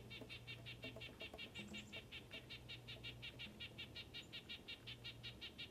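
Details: A male Red-breasted Nuthatch in the northeastern US sings non-stop, unusually vocal, possibly territorial or courting: short, nasal, tinny notes repeated steadily, almost three a second, over a faint low hum.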